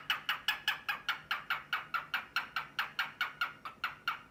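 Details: Grey male cockatiel courting a white female who seems sleepy, repeating sharp clicking 'ka-ka' notes at a brisk, fairly regular pace of just over two per second.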